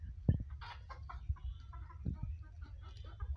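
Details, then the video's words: Chickens and roosters feeding: soft, broken clucks and murmurs come in quick irregular bursts, mixed with low thuds of pecking close to the microphone. "chickens and Roosters are feeding"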